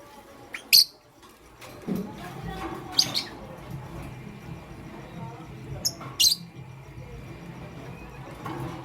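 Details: Lovebirds, pastel gray and green, chirping in the morning: piercing high chirps come in pairs, with gaps of several seconds between them, over a soft murmuring background.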